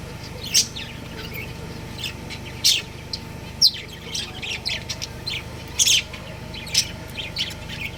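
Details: Breeding pair of pet budgerigars kept at home, giving bright, high chirps in short scattered bursts, a few closely spaced notes every one to two seconds, over a steady low background hum.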